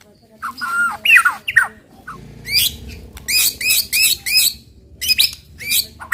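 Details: White-rumped shama 'tembakan' song aimed at stirring other shamas to sing: scattered sharp whistles and harsh chattering notes, spaced out, over a low background hum.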